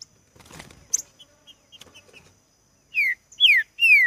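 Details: A Green-winged saltator singing intensely in a contest with a rival gives three loud, clear whistled notes, each sliding downward, after a second of soft rustling and faint high chirps.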